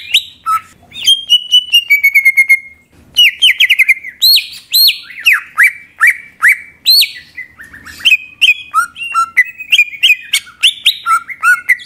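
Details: Greater green leafbird song played to provoke other birds into singing: opens with a trilled, ticking run, then continues as a lively stream of high whistled slurs and clipped chirps.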